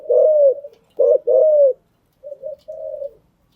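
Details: Cooing of a decoy spotted dove for training newly caught birds: a drawn-out low coo, a short note with another long coo, then a softer broken two-part coo.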